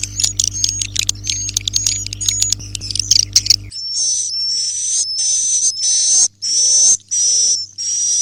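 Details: ['Busy clicking chatter over a low drone comes first, then the swiftlet walet inap roosting call. It is a run of high, rasping chirps repeated at a regular pace, each carrying a faint, steady whistled tone.']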